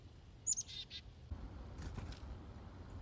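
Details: Chickadees at feeders, some hand-fed, give a few quick, thin high chirps, then short lower notes, followed by soft rustling and a brief flutter against a low background hum.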